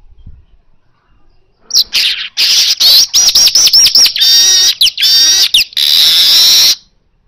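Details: Lively natural song of an Asian golden weaver, used to get kacer birds singing: a quick series of repeated short rising notes running into squeaky trills and finishing with a long, dry, buzzing sizzle.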